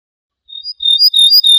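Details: Ortolan bunting, called al-bouh al-fassi in Morocco, from an assembled tape of wild bird songs: a brief burst of high, thin chirping notes after half a second of silence, cut off mid-phrase, with a clean, quiet background.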